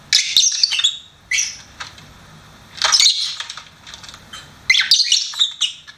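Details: Lovebird kept as a pet gives rasping, high-pitched squawks and chirps in three main bursts, separated by softer clicks and pauses.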